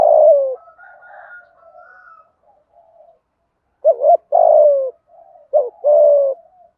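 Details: Spotted dove in thúc gù style, giọng thổ voice, calling to rouse decoys. A long falling coo ends, then there is a gap with faint cooing. Two full phrases follow, each a wavering lead-in note and then a sustained descending coo.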